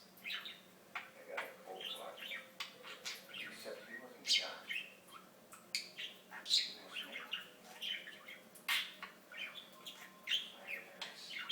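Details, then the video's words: Steady chatter from a talking pet budgerigar: a long string of clicks, squeaks and warbled speech-like phrases, each burst about half a second apart. "Torres The Talking Budgie"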